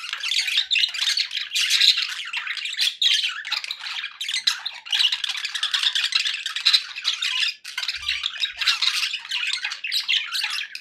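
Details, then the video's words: Nearly unbroken raspy chatter from pet budgerigars, rattling warbles and squeaky chirps running on for about eleven seconds with only a brief gap near the end. "1 hours of budgie sounds for pet parakeets to make tham happy"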